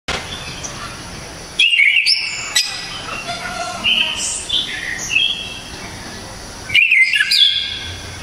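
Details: Orange-headed thrush singing loud, sharp, clear phrases: a bright whistled burst with quick rising and falling sweeps near 1.6 seconds, softer varied warbling through the middle, then another strong whistled phrase around 7 seconds over faint background hiss.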